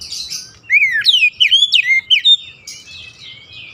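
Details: Lure song of an Oriental magpie-robin for a stressed bird that stopped singing: a string of clear looping whistles dipping and rising, followed by softer scratchy notes.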